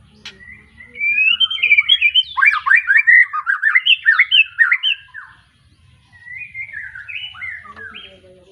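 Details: Young kept White-rumped shama just out of its juvenile moult, from a Tangerang Arko bloodline in Petarukan, Pemalang, sings a lively, varied burst of rapid whistled and chattering phrases, fading briefly, then resuming with clipped descending notes.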